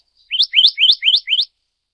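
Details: Black-naped monarch of the subspecies Hypothymis azurea oberholseri, endemic to Taiwan. It gives a single run of five clear, ringing, upslurred notes in about one second, evenly spaced, against silence.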